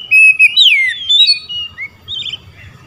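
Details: Oriental magpie-robin singing 'ngeplong' toward rivals that answer. A brief, loud sequence of sweet whistles with a sweeping downward slur, followed by softer scattered notes and low background murmur.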